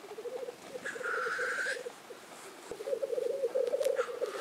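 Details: Black grouse at the lek in Innvik, 2014: rolling bubbling cooing, broken by a harsh hissing whoosh, then louder bubbling, and a second hiss starting at the end.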